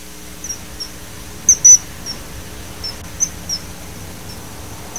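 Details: Common kingfisher calling: short, thin, high-pitched whistled notes scattered through the clip, with a louder double note near the middle, over a faint steady hum.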